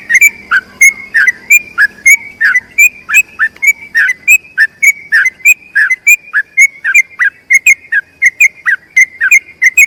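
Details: Long unbroken ropel panjang trill from a yellow-vented bulbul, used as tutoring song for other bulbuls: clear whistled notes, each dipping and rising, repeated about three times a second for the whole stretch.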